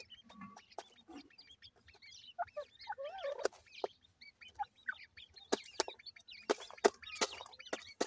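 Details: Feeding grey francolin chicks make scattered, wavering high chirps, some rising and falling, broken by loud sharp clicks and taps.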